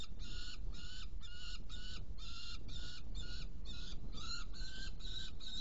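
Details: Saker falcon in Hungary, 16 June 2018 around 18:57, during prey delivery and feeding of two young, giving a steady series of harsh, grating calls, about two per second, over a constant low rumble of wind.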